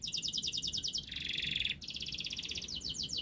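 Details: Canary song from a lure recording for canaries that will not sing: quieter, unbroken fast trills of repeated notes, a lower buzzy rolling section in the middle, over a faint background hum.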